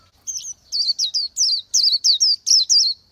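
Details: [5, 'High, liquid twitter of an Oriental white-eye: about nine rapid downward-slurred whistled notes, closely spaced and bright, in a clear recording.']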